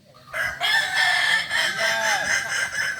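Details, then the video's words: Kukuak Balenggek roosters crowing during group training in Ampang Kualo, Kota Solok. After a brief quiet start, loud crowing begins and is sustained, with many birds overlapping into a continuous harsh chorus. "latihan bersama ayam kukuak balenggek (akb)"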